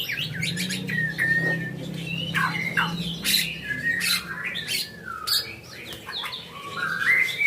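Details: Varied song of a caged White-rumped shama kept for contests: loud harsh notes, sweeping whistles and short clipped phrases follow each other without pause, over a faint low mechanical hum.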